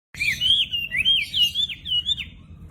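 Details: Chinese hwamei, a prized cage bird with a very loud voice that mimics other birds, in full song: a loud run of clear whistled phrases, each rising then bending down, flowing on without a break.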